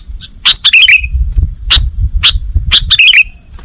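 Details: Sooty-headed bulbul singing in the nggaruda style, recorded for training cage birds: short bubbly chirped phrases dipping and rising, separated by sharp broadband clicks, over a low rumbling background.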